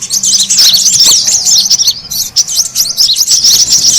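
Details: Brown-throated sunbird lure calling: sharp high chirps and looping squeaky notes repeated rapidly, about two or three per second, in a thick overlapping chatter.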